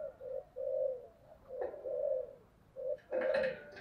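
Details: ['Spotted dove cooing continuously in thúc gù style, soft low coos in short-long groups heard at a distance over steady background hiss, with a louder burst of noise near the end.']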